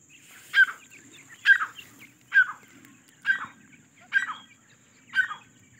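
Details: Grey francolin among foraging chicks, a single loud clucking call repeated about once a second, each a short strident burst, regular and clear, over a faint low murmur.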